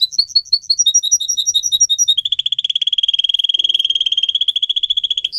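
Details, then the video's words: Pet canary kept for song training singing a loud, fast song: a few seconds of clear repeated whistled notes alternating high and low, then a long rapid trill of even pulses, about three per second at first, then much faster. "Canary song video - type of song"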